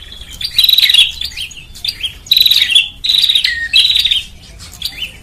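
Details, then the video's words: Bar-winged prinia lure call used to attract birds: short, buzzy, chattering bursts with a high metallic edge, repeated roughly every second, separated by brief quiet gaps and a few softer scattered notes. "SUARA PIKAT BURUNG PRENJAK"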